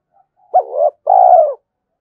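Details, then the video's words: Single two-part coo of a spotted dove decoy summoning wild doves to fight, a short upswept note then a longer steady, slowly falling coo. "tiếng cu gáy thúc Đấu và gáy gọi bổi rừng nghe rất nhanh về cội"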